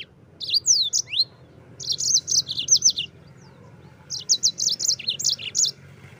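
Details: Yellow-fronted canary giving rolling 'gacor ngerol' song as a master for training Oriental white-eyes: several swooping whistled notes, then two later phrases of rapid high twitters and chips, each lasting over a second.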